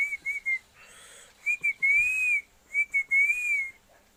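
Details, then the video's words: Pet parrot from Assam giving clear looping whistles: pairs of short notes followed by longer wavering glides, repeated twice, with a soft hiss between phrases. "parrot voice"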